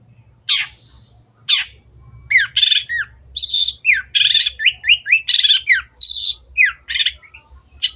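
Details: Long-tailed shrike in lively song, used as a lure to prompt birds to sing: two harsh rasps, then a fast run of varied, squeaky, upward-sweeping and buzzy notes packed closely together.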